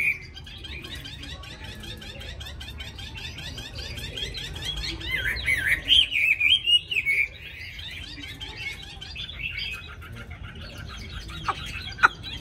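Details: A tame caged hwamei with a wild-style voice sings a soft, rapid, chattering warble that swells into a louder burst of sharp whistled notes midway, then fades back to quiet twittering, with a few faint clicks.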